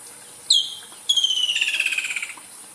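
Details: A woodland kingfisher in Kruger National Park, South Africa, where it is heard in summer, gives one sharp high note, then a fast, ringing trill that slowly drops in pitch over about a second.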